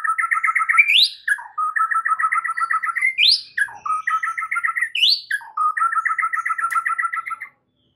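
A white-rumped shama pours out a rich song: fast stuttering runs of mid-pitched notes broken by quick upward-swept whistles, with a thin high tinkling above.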